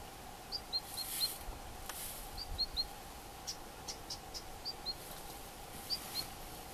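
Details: Female long-tailed rosefinch giving soft, high two-note whistled calls, 'fi-po', every second or so over steady hiss and light rustling, before being chased off by a shrike; recorded 22 July 2012.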